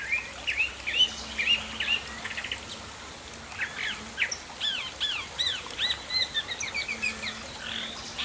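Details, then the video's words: A chalk-browed mockingbird in Brazil sings a varied run of bright whistles, slurred notes and quick chattery phrases, mostly high-pitched, over a faint low hum. "O canto do sabia-do- campo"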